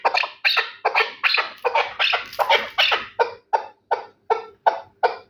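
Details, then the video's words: A Terali chukar partridge gives loud, harsh chuk notes in quick succession, settling into a regular rhythm of about three clucks per second. "Кабки Терали"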